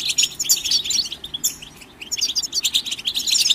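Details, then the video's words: Lively goldfinch chirping and song meant for training birds, tumbling high notes and tinkling trills, with a slight lull around two seconds before the twittering resumes. "The finest goldfinch chirps and songs for listening and training birds"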